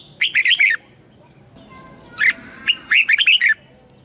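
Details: Red-whiskered bulbul used as a lure, singing to summon wild birds to fight: a rapid run of bright warbled notes, a brief pause with two single calls, then a longer rollicking phrase of five to six notes.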